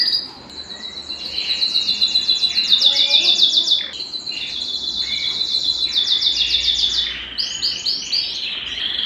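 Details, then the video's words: A Belgian canary sings a long, high, unbroken run of fast rolling trills and bright chirps, shifting between tours every second or two, with no other sounds. The song is used to warm up canaries and excite females. "Canto Para Esquentar Canário Belga e Foguear as Fêmeas"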